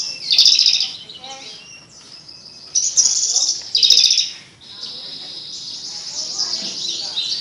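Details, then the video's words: Javan bush lark with a melodious song: high, dense chattering bursts of twittering notes, each lasting about a second, separated by quieter gaps with softer background chirps. "Burung branjangan edun suara merdu"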